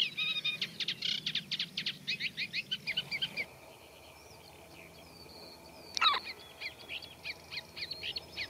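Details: Reed-bed Eurasian reed warbler with a scratchy, unmelodious song mixing in mimicry. Loud chattering phrases stop after three seconds, a thin whistle and a sharp click follow, then softer chatter resumes.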